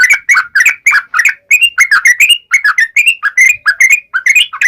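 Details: Sharp wild-style 'ngalas' song of a yellow-vented bulbul, meant to set other bulbuls singing: a steady run of bubbly, two-part slurred whistles, about three each second, without pause.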